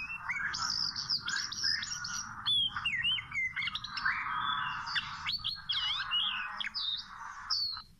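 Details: Wild Oriental magpie-robin, near a small-rope trap, sings a lively varied song of sharp chirps, rising and falling whistles and quick slurred notes in bursts with short pauses.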